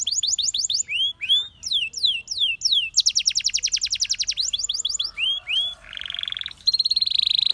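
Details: Canary song of repeated arching whistled notes, a rapid rolling trill, several curved slurs, then a buzzy low trill and a high, steady, fast trill at the close.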